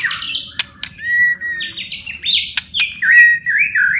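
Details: Varied song of a white-rumped shama, meant to stimulate stressed or quiet shamas to sing: long clear whistles and slurred notes at shifting pitch, broken by sharp clicks, with a steady low hum behind.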